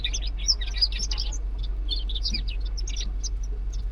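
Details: Zebra finches living in an aviary give rapid, high, chirpy calls in quick bursts over a steady low hum.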